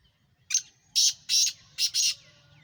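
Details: Black francolin from Sindh, Pakistan, calling: a series of five harsh, loud grating notes in about a second and a half, the first short, then two long rasps, a short one and a final long rasp.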